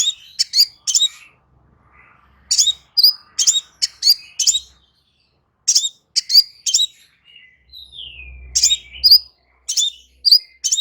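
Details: Crimson sunbird delivering bursts of rapid, piercing chirps and twittering notes, pausing briefly between groups. A short downward-sliding whistle sounds near the end over a soft low rumble.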